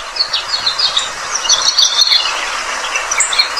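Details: Australian pipit, called a pest bird with a melodious song, singing a dense, continuous stream of high chirps and short trills with a rapid, jumbled rhythm and no long pauses.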